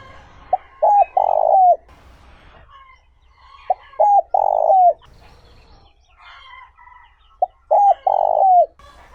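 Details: Cooing of a spotted dove, smooth 'trơn ròng' style for luring wild birds: three phrases about three seconds apart, each a brief note, a paired coo, then a sustained low coo ending in a downward slur.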